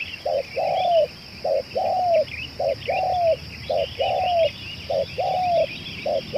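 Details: Spotted dove used as a lure bird, 'celir racik' type, cooing steadily: a clipped note and a longer falling coo repeated about every 1.3 seconds, over busy chirping from small birds and a continuous high whine.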